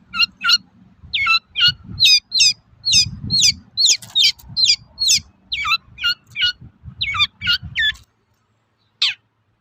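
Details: Long-tailed shrike (cendet) giving its characteristic toet-toet call, used to provoke other shrikes into singing: a fast series of harsh, buzzy descending notes, about two per second, ending abruptly, then one more note after a pause. Faint low rumble beneath.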